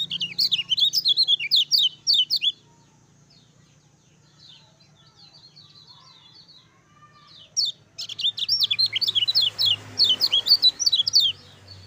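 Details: Lemon-bellied white-eye song used as a master song to get other birds singing: two bursts of rapid high chirping notes, steeply slurred up and down, separated by a quiet pause of about five seconds.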